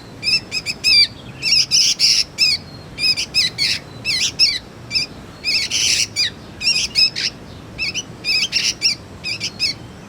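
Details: Steady series of coarse, buzzy chirps from a juvenile sooty-headed bulbul used for luring and tutoring magpie-robins, grouped in clusters of two to four over ten seconds.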